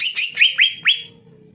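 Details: Greater green leafbird singing actively, used as a tutor to coax lazy leafbirds into song: four quick down-slurred sweeping notes, bright and high, the last one drawn out, then quiet with faint low background hum.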